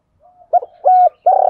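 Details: Spotted dove kept as a decoy, cooing to stir wild doves to answer and fight. A faint low hum leads into a short coo, a sustained steady coo, then a loud, slightly pulsing coo.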